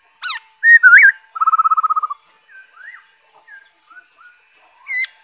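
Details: Black-throated laughingthrush singing on 5 May 2021: loud clear whistled notes, then a fast even trill of about a dozen pulses, followed by softer slurred whistles and a final bright rising note.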